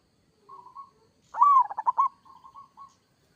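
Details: Single phrase from a local zebra dove: soft lead-in coos, then a loud rolling burst of rapid stuttered notes, fading into quiet level coos.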